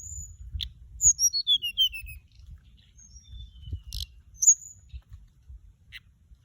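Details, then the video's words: High, clear flycatcher whistles: a quick descending series of pure notes around the first two seconds, then scattered sharp chirps and a late short whistle, used as a lure call; a male and female fly about. "เสียงต่อ นกจับแมลงอกส้มท้องขาว"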